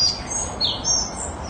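A Collared flycatcher gives a brief run of thin, very high, squeaky whistled notes, some rising and some falling, over a soft background hum.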